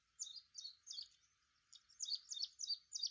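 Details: Repeated high, sharp chirping notes from an Ashy prinia, each a quick slurred pair. A first series of four is followed by a short gap, then a faster run of five more, with light background hiss.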